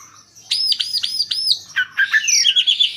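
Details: Asian pied starling singing to lure other birds into singing. A run of four bright, arched whistles, then a scratchy, chattering phrase with a falling slur, loud and clear over faint low rumble.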